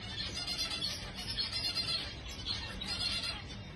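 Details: Zebra finch (Taeniopygia guttata), calls.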